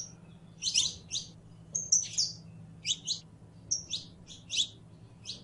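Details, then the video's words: Saffron finch, known locally as canario criollo, singing: rapid bursts of buzzy, sweeping high notes alternating with short clear whistles, grouped in irregular phrases, over a faint low hum. "CANTO DE CANARIO CRIOLLO CANTANDO"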